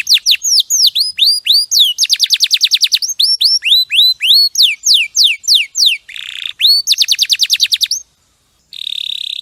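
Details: Clear champion canary song for tutoring: repeated curling whistles, a long very fast trill, more swooping notes, then rasping buzzy rolls separated by short silences.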